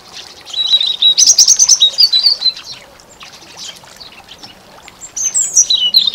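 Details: European goldfinch singing in spring: bright, rapid twittering phrases with liquid trills and high tinkling notes, a dense burst early on, a pause, then a fresh twittering phrase near the end.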